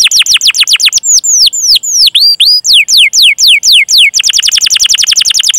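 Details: Long 'cuit cuit' canary chirping with rolling 'ngerol' trills, a master recording meant to lure young or silent canaries into song: rapid series of steep down-slurred whistles, some hooked up-sweeps, then a quick even trill of repeated notes.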